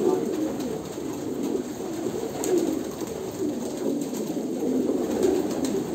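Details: Kolkata pigeons coo in a crowded chorus of low, throaty phrases that swell and fade slightly, with faint clicks above the murmur.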